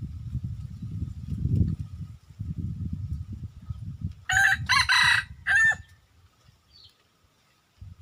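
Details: Red junglefowl, a wild chicken, crowing: a loud, harsh, broken crow in three or four bursts over about one and a half seconds, following a stretch of low rumbling background noise, then near silence.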